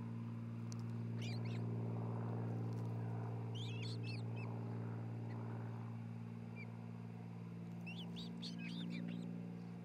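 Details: Osprey nest at Charlo, Montana, camera recording on 27 June 2018 early afternoon: two groups of rapid, thin, upward-flicking whistled chirps separated by a pause, with steady low electrical hum throughout.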